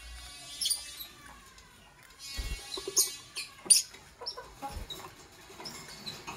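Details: Fischer's lovebirds, Parblue Violet and Pastel Green Opaline birds, heard in the morning: sharp, harsh high chirps in scattered bursts, several clustered around the middle, over soft rustling and low thumps.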